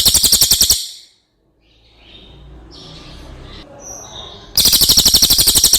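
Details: Cililin song for training other birds: one rolling trill ends, a quiet gap with soft chirps and light background noise follows, then another loud, fast-pulsed, shrill roll begins.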